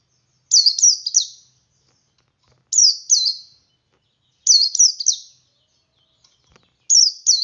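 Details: Male white-eye in ngalas song, used to lure reluctant birds into singing: four tight bursts of three shrill, down-slurred chirps, each burst about two seconds apart, in a quiet background.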